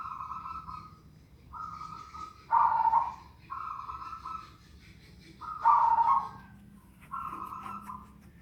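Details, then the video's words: Unusual calling of a zebra dove: level tonal notes alternating with two loud, lower, rasping notes, in two matching phrases each closed by a further steady tone. Quiet background. "perkutut suara aneh"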